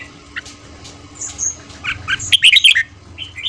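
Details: Red-whiskered bulbul singing in the morning, a fast 'ché' style training song used to stimulate newly caught birds: a few chirps build into a rapid cluster of loud, ringing, warbled notes, followed by brief upward whistles.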